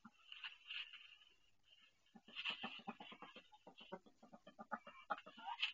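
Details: Domestic duck straining to lay her first egg in a nest indoors; rasping drawn-out cries, then a fast series of short clipped quacks building in loudness toward the end.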